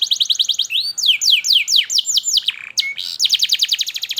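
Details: Canary song as a lure for young birds learning to sing: quick chip trill, then slower downward-sweeping slurred notes, a short low whistle, and a renewed fast rattling trill.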